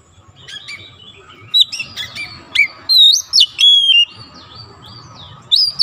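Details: Caged magpie robin singing: soft chatter at first, then loud clear whistled notes and rising slurs in rapid succession, with a steady faint hum behind.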